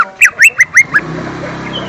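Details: Lesser green leafbird lure song for young birds: a quick run of five loud, sharply rising chirped notes in under a second, then only a low background hum.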